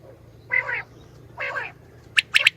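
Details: Female common quail calls for hunting: two harsh, nasal, harmonic rasps about a second apart, followed by three sharp high pips at the end, over a faint low hum.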